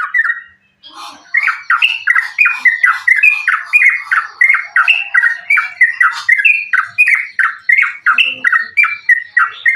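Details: Yellow-vented bulbul giving gacor fighting-style continuous song meant to provoke other bulbuls: rapid rhythmic chattering of short harsh notes, several per second, steady and insistent throughout after a brief opening gap.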